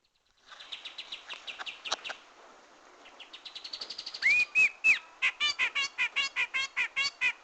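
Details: Grey-cheeked bulbul song used as a trapping lure: a fast run of thin high notes, then a clear whistled rising-and-falling phrase, followed by loud harsh chattering bursts repeated about twice per second.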